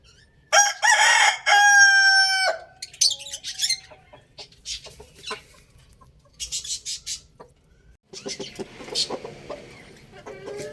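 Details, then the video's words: Crow from a young rooster: two rough, ringing, rising bursts back to back over two seconds, then a scatter of soft clucks and short scratchy sounds. "Adorable rooster crowing sound effect | Amazing rooster Crowing Loudly"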